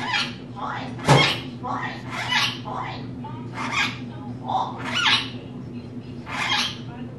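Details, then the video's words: Female rainbow lorikeet kept as a pet and mimicking human phrases: a run of about ten quick, speech-like syllables with one sharp click near the start, spoken in a small room with a constant low hum. "Lorikeet Talking"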